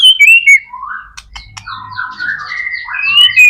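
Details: Energetic white-rumped shama song meant to prompt other shamas to sing: bright clear whistles at the start, then a warbling mix of slurred notes with a faint low hum underneath.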